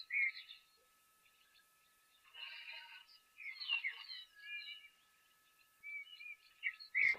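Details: Lesser striped swallows in Madikwe Game Reserve give short, bright, nasal 'whap, whap, whap' notes in loose repeated bursts over a faint electrical hum. Recorded 28 December 2023 at a hot, semi-arid waterhole after rains.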